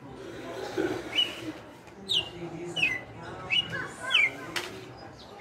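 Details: Caged red-cowled cardinal, a five-year veteran, delivering açoite-style song: a series of quick, clipped falling whistles spaced under a second apart, with faint background noise and one sharp click.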